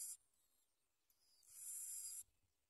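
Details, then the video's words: Bar-winged prinia chicks at the nest, being fed black worms by the adults, give a shrill, hissing burst of begging lasting under a second, preceded by a brief sharp squeak, with quiet pauses around. "Bar-winged prinia Birds force babies to eat black worms"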